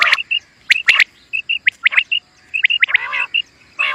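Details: Common quail call used for quail hunting: short whistled notes in quick clusters near one pitch, mixed with sharp rising-falling chirps, repeated about once a second.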